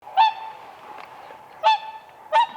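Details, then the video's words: Whooper swans on ice at a spring lake give three loud trumpeting honks, brassy and rich in overtones, with a steady faint drone of distant calling between them. "WHOOPER SWAN birds dancing on ice"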